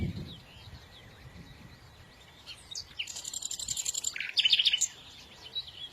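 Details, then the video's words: Songbirds with a brief chattering phrase: scattered thin chirps, then a dense rapid trill and sharp high notes in the middle, fading back to soft background noise. "تغريد العصافير"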